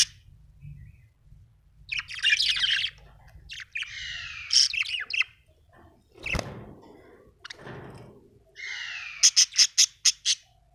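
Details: Budgerigar in a happy mood, giving scattered chattering phrases and drawn-out buzzy warbles, then ending with a quick run of five sharp clicking ticks; a low background hum and one soft thump.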